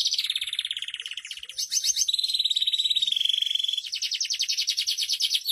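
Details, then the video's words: Canary singing as masteran material for training other canaries: fast buzzy trills, a long rapid rattle followed by a steadier level trill, then a brighter pulsed trill, all high-pitched and continuous. "Buat Masteran Kenari Super Gacor"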